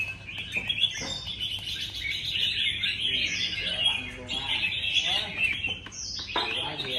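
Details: Contest singing of red-whiskered bulbuls: a continuous tangle of quick liquid whistles and chirpy notes from several birds, with brief upslurred calls standing out and soft talk in the background.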